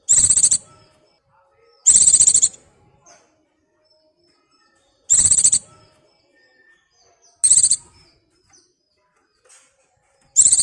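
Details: A white-eye in breeding condition, calling for a mate, gives harsh, high, buzzy twittering bursts, each about half a second long, repeated every two to three seconds with quiet gaps between.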